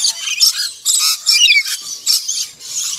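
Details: Harsh, raspy screeches from a black-winged lory in four or five separate bursts, one with a sharp upward-sweeping squeal near the middle, short pauses between outbursts.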